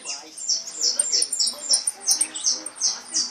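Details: European goldfinch of the brown 'pardo' form singing its 'repique' song style: bright high notes that slide downward, repeated in a quick steady series about three times a second, with faint low background murmur.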